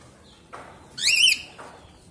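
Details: Lutino pearl cockatiel gives a single shrill, warbling call lasting about a third of a second, wavering up and down in pitch, with faint background rustling.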